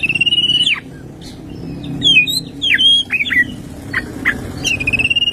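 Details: Oriental magpie-robin morning song rich in 'tembakan' fills: a pulsed trill, a lively run of high twisting whistles and sharp chips, then another level rattling trill, over faint low background noise.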